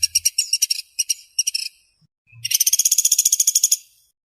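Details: Pelatuk sampit or pelatuk beras woodpecker in full, fast, tightly packed calling: a few short choppy rattles, a pause with low thumps, then a long even run of rapid harsh pulses lasting over a second.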